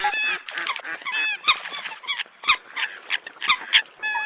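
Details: Eurasian coot calls: a mix of drawn-out nasal tones and sharp, clicking honks, with several loud, abrupt notes standing out at roughly one-second intervals.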